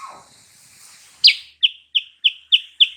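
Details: Sooty-headed bulbul song as a lure to provoke a rival's reply: after a faint low note, six crisp, high chirps follow at even intervals of about a third of a second.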